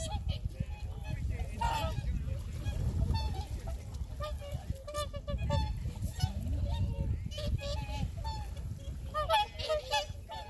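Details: Many swans calling beside Lake Kussharo, Hokkaido: a steady chorus of nasal, trumpeting honks, some short and some drawn out, over low wind noise, with nearby sightseers' voices faintly audible.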